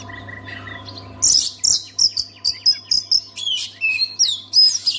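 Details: Oriental magpie-robin singing, used to prompt other magpie-robins to sing. After a second of faint hum, bright high whistled phrases repeat in quick bursts about every half second, with sharp rising and falling notes.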